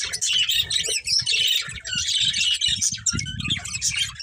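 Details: Pet budgerigars in a family group chirping: a dense, unbroken stream of high twittering, warbling and scratchy squawks from several birds overlapping, with soft low thumps and rustles underneath throughout.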